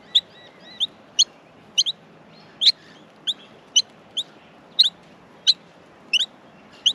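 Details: Baby Australian miners begging in their nest as they are fed; bright high squeaks come in quick succession, some paired, with a few fainter notes between.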